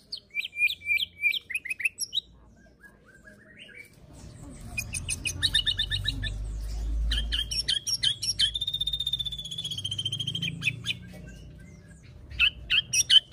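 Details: White-rumped shama, a 'pastol fighter' murai batu, singing: sharp repeated high whistled notes, then a dense run of buzzy rattles and a long steady ringing trill, ending in bright whistled phrases over low background rumble.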